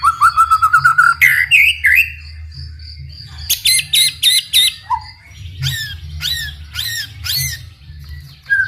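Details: White-rumped shama in varied song intended to make other shamas start singing: a quick run of repeated whistled notes, sweeping slurs, then evenly spaced chopped phrases repeated about three times a second, low hum behind.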